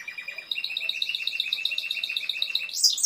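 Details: Timbrado canary song: rapid repeated trilled notes around mid-high pitch, shifting into a faster rolling series and ending with a higher bright flourish.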